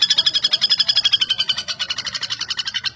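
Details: Three seconds of unbroken rapid ticking trill from a common flameback (Dinopium javanense), high pulses delivered quickly and evenly throughout.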